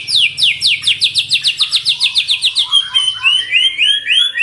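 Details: White-rumped shama song for luring and tutoring pet birds: a fast run of high, sharply falling notes, about four a second, shifting into quicker upswept chirps and rolling twitters.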